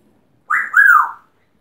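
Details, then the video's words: Pet talking parrot from Yorkshire, kept indoors, giving a clear two-part whistled sound, the second part rising then falling smoothly, in a quiet room. "Amazing Talking Yorkshire Parrot (Bugger Off)"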